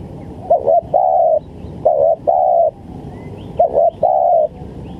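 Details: Spotted dove cooing used as a trapping lure: three phrases about every 1.7 seconds, each a quick double coo followed by one longer, even, drawn-out coo, with faint high chirps of other birds behind.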